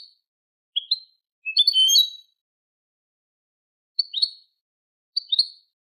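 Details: Eurasian goldfinch song from a tutor tape in the Malaga copla style (Manolo), made to teach goldfinch and hybrid chicks: high, tinkling twittered phrases, a short burst, a longer liquid flourish, then two brief repeated motifs after a pause.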